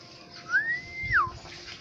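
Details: Black-naped oriole from Aceh: one clear fluted whistle that swoops up, holds a steady pitch, then drops sharply, over a soft low background hum.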